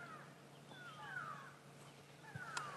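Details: Grey go-away-birds giving drawn-out, nasal, downslurred "qu qu" alarm calls as an African hawk-eagle takes off, squirrels also alarming, on a morning safari drive in August; calls recede as the eagles fly down a drainage line.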